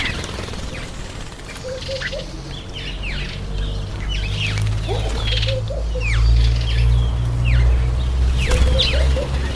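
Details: Breeding-season masked weaver chorus in September–October: scattered sharp downslurred chips and short squeaky notes over a strong low rumbling noise that swells toward the middle.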